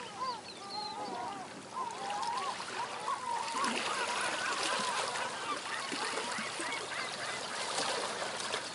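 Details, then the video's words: Distant seagulls at a quiet seaside give a few wavering, mewing calls over the first half, against a steady wash of surf and wind. "A quiet seaside seagulls distant"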